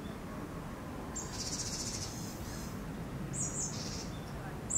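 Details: Eurasian sparrowhawk during the breeding season, around mating time. A faint, rapid series of harsh, pulsed notes is followed by a few sharper short calls, set against steady low-pitched background noise.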